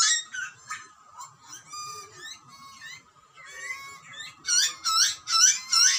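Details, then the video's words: Wild Australian butcherbird chicks being fed by parents: softer thin whining notes at first, then a run of loud, harsh, rising screams near the end. "Baby bird screaming for food ? Cute Butcherbirds chirping & feeding."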